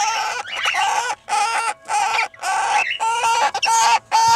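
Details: Breeding pair of Red-winged parrots, two years old, with first chicks 20 days old. Quick run of grating, buzzy squawks, about eight in four seconds, some with short rising inflections.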